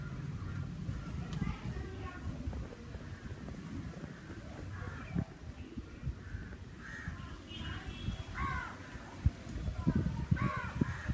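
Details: Summer crow calls: scattered hoarse caws building toward the end, with a pair of strong ragged cries late on, set against constant low rumbling outdoor noise and occasional knocks.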